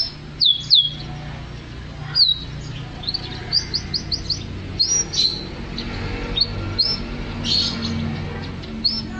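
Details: Canary singing in short separate phrases: sharp high downslurred chirps and brief whistled notes with pauses between them, over a low steady background hum.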